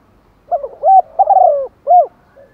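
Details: Morning call of a decoy spotted dove luring wild doves: a series of soft hollow coos, a wavering note, a long rolling coo, then a clear short coo and a faint trailing note.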